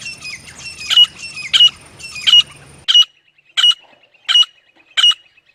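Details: Male and female grey francolin: harsh notes, each with a thin whistled edge, repeated at a slow, even pace of roughly one every two-thirds of a second, the background hum dropping out halfway.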